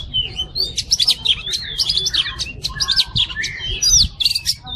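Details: Oriental magpie-robin (kacer) in masteran song: a busy, energetic chatter of high chips and short whistled slurs, repeated quickly with almost no pause, over a faint low rumble.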